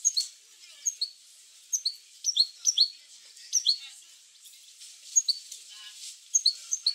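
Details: Goldfinch sounds used to stimulate goldfinches into song: spaced, sharp, high twittered notes in short clusters of two or three, separated by pauses of about half a second to a second.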